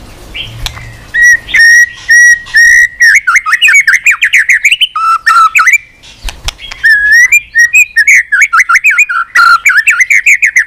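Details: White-rumped shama, a bird trained to sing many voices, delivering a long rich song: several level whistles, then dense bursts of rapid chattering notes mixed with looping slurred whistles.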